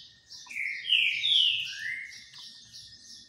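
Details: Green-winged saltator in song while bathing in the sun, one rich phrase of three or four slurred whistles, rising then falling, over soft high chatter and a faint low rumble.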